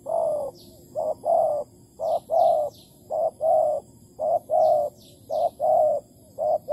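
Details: Close spotted dove near a decoy trap in Malaysia, August 2020; strong mellow coos in short-then-long couplets repeated rapidly, with high faint descending chirps of another bird in the background.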